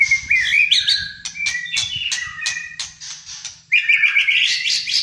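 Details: White-rumped shama of the Malaysian type, a caged bird in full fighter-style song: rich whistled phrases sliding between mid and high pitch, interrupted by sharp clicks and rattles, with a dense burst at the end over a steady low hum.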